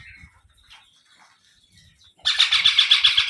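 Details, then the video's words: Baby parrot giving a sudden burst of harsh, raspy, rapidly pulsed squawks, about eight pulses in a second, after faint chirps and quiet low rumbles. "Baby Parrot Sounds"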